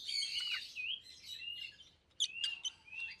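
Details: Pet rosy-faced lovebird pair, one yellow, one green: quiet twittering with sliding whistled notes and squeaky chirps over a light background hiss.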